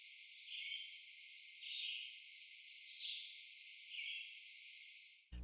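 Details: An American Redstart at its Doodletown nesting area sings a forceful one-section song, a quick high run of paired two-element notes, about five pairs a second, with slurred Red-eyed Vireo phrases before and after.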